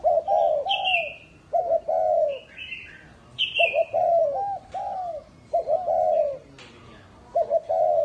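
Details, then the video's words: Lure spotted dove in Ba Vì, Hanoi, calling in repeated low hollow coo phrases, with higher, falling chirps of another small bird between them. "chim cu mồi hay đủ bài"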